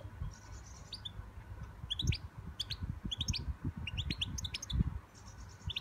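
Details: A young European goldfinch sings a quick, tinkling twitter of high chirps and short trills in bursts, over a steady low rumble of background noise.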